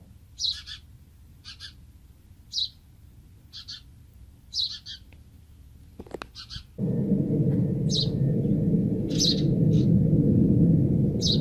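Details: Young house sparrow fledgling, found beside a house and placed in an old nest in a palm tree, begging as it meets its mother: short high chirps repeated about once a second, then masked by a steady loud rumbling noise.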